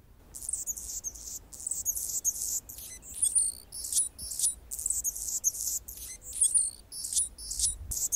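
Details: Male Anna's hummingbird defending territory while a female feeds a baby in the nest, repeating short buzzy, squeaky phrases of scratchy notes and thin sharp chips, each lasting under a second, in uneven succession over eight seconds.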